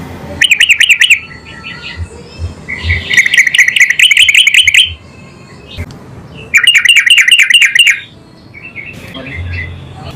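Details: Yellow-vented bulbul singing vigorously and answering at once: three loud bouts of fast, bubbly, chattering notes, each lasting one to two seconds and separated by short pauses, over a faint low hum.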